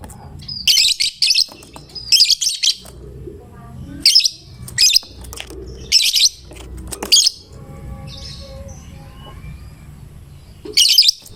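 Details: 'Gacor' fighter lovebird whose song is said to get any other lovebird singing along; harsh, buzzy high-pitched bursts repeated roughly every one to two seconds, about seven outbursts, with faint murmur beneath.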